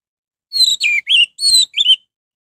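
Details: Short snatch of orange-headed thrush lure song: five clear whistled notes, several sliding downward, delivered within about a second and a half with no other sounds.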